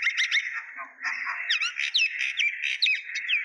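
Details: Common myna (shalik) calling: dense run of sharp chirps, whistled upslurs and harsh chatter, overlapping and uneven, with a brief low murmur near the start.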